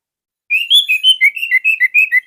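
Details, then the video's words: Orange-headed thrush (anis merah) singing, a captive bird kept as a tutor for young birds: clear whistled notes alternating high and low, about ten slurred phrases in quick succession after a brief silence. "KICAUAN SANGAR ANIS MERAH COCOK UNTUK MASTERAN"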